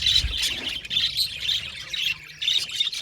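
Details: Budgies in a colony aviary, rapid high chirps and short whistled notes pulsing in quick bursts over steady background chatter.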